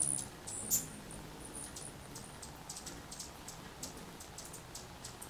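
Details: Anna's hummingbird in March 2021 at 6th and Alder Streets, Myrtle Point, Coos County, Oregon: a few sharp, very high chips near the start, then faint high ticks scattered through the rest over a low background rumble.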